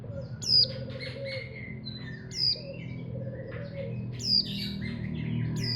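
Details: Caged Javan white-eye of the montanus type, kept as a hobby songbird, giving short high twittering phrases with sharp descending whistles about every two seconds over a steady low hum and background chatter of other birds.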